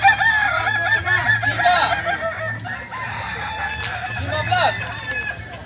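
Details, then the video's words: Competition practice at AMKO for kukuak balenggek chickens: loud crows stepping through short arched syllables, several birds at once, fading toward the end, with a constant low hum below. "Ayam kukuak balenggek"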